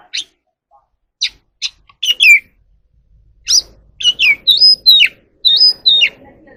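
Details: Oriental magpie-robin, singing and dancing at dusk, gives scattered sharp chips, then a series of clear, level whistles that end in a downward hook, each separated by brief gaps.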